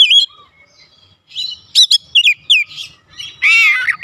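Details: An Oriental magpie-robin, its song used to spur other home birds to answer, gives a whistled note, a string of sharp slurred chirps, then a loud grating rasp.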